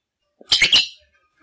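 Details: Pet African grey parrot from Poland, a competitor in the 4th talking birds championship of Poland, only just starting to talk. It gives one bright, squeaky spoken burst of three quick syllables, with silence around it.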